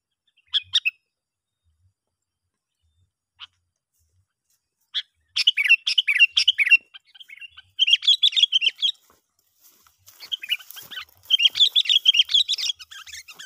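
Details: Sooty-headed bulbul calling to lure other bulbuls: a few isolated chirps, then long bouts of rapid, excited chattering notes running for a second or more at a time.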